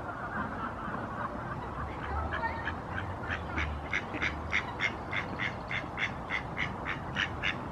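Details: Common moorhen recorded at Barrs Court on 28 February 2021: a fast series of short, harsh, clipped notes that grows louder and more regular, about three per second, over a low rumbling background.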